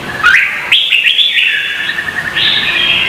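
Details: Vietnamese red-whiskered bulbul singing competitively, recorded as training lure: an upslurred whistle, then a bright jumpy phrase settling into a sustained clear whistled note that ends on a higher note.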